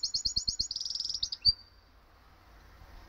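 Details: Song of a canary crossed with a goldfinch, rehearsing: rapid high trilled pulses running together into a buzzy rolled phrase, closing with one sharp note and then quiet.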